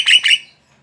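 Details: Javan myna, locally jalak kebo, delivering a brief bright phrase of two quick piercing whistled notes, high and clear, fading out into quiet.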